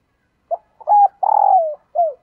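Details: Female dove calling to attract males: a short four-part cooing phrase, a brief opening note, then a level hoot, a longer throbbing coo sliding downward, and a final falling note, on a quiet background.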